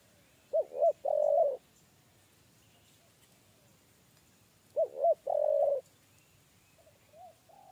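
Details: Spotted dove, the 'kuk 3' style, lured toward a trap cage. The same three-part phrase of two short, hollow coos and a long held coo comes twice, about four seconds apart. A faint soft note follows near the end.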